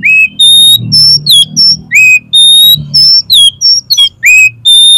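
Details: Oriental magpie-robin, tail spread, spilling out its full song to goad a rival into fighting: loud, clear whistled notes, some long and level, others sliding upward or dropping, delivered in a brisk irregular series with harsher twists between.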